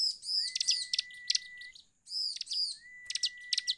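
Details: Bar-winged prinia song played as a lure for other birds: arched chattering phrases at high pitch alternate with a drawn-out level whistle, repeated twice with short pauses.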